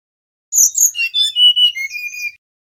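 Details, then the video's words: Male mangrove whistler singing a melodious whistled phrase. It opens with high, sharp notes, then drops through a series of pure, level whistles that step downward before a final sustained tone. "Suara Asli Burung Tledekan Bakau"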